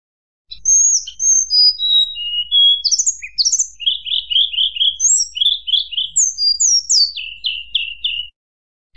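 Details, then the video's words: Long whistled phrase from a tledekan gunung, used to provoke rival birds: descending pure notes, upward flicks, then several runs of four or five quick repeated notes, ending with high slurred whistles. "tledekan gunung nyuling bikin lawan emosi"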